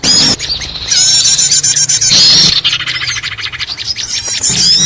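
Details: Small birds making a noisy trapping lure: loud continuous squeaky chatter with high sweeping notes, then a run of rapid evenly spaced ticking chirps before the chorus swells again.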